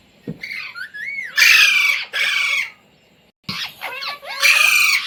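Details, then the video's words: Pet Indian Ringneck parrot that has learned "mummy", "mitthu" and "roti roti"; gliding chattered syllables lead into loud raspy screeches, a short pause, then more warbled syllables and another screech. "Parrot Talking | मम्मी | मिट्टू | रोटी रोटी | तोते को बोलना सिखाये | Talking Parrot"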